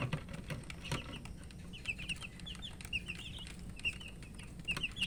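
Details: Colour chicks chirping from thirst while eating, heard more distantly: sparse high peeps in short clusters over a low background hum, with light tapping sounds.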